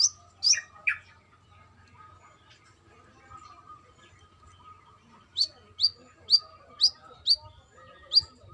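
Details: Female brown-throated sunbird calling a male: a few harsh chirps sliding downward, a pause, then a quick run of six high, bright chirps, over a faint constant hum.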